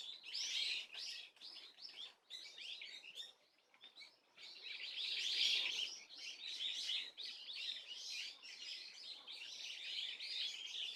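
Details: Swallow twitters recorded 30 April 2024, fairly faint: high, rapid chirping in uneven bursts, a short quieter gap midway, then a fuller, sustained chatter to the end.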